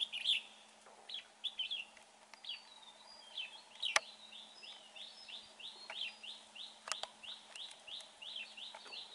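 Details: At a bulbul trap, a red-whiskered bulbul sings repeated short upswept whistled notes, loosely spaced then steadier, broken by several sharp clicks and knocks, over a low hum.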